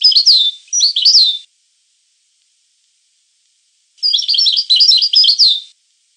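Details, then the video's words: European goldfinch singing two bright, high-pitched phrases of jumbled chirps, tweets and downslurred notes. The phrases are separated by a pause of about two and a half seconds with no other sounds. "The Goldfinch , chant de Chardonneret"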